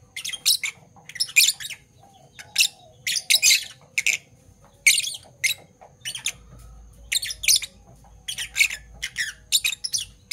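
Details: Morning chatter from two Fischer's lovebirds of Parblue Violet and Parblue Turquoise colour: clusters of rasping, squawky chirps separated by brief pauses, and a low rumble entering in the second half.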